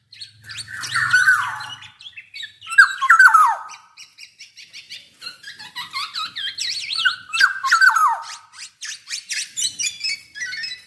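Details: Black-naped oriole from Java in lively song, loud liquid whistled phrases dropping in pitch alternating with scratchy chatter, with a short low hum near the start.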